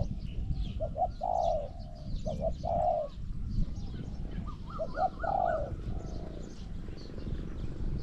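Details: Zebra dove in a Thai decoy trapping contest for wild doves. Soft low coos in two clusters with short stuttering notes before them, fairly distant-sounding, over heavy low rumble and faint high bird chatter.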